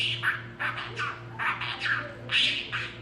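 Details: Male pet budgerigar speaking words, giving a fast run of raspy, chattering syllables in bursts about every half second, with a steady low electrical hum behind.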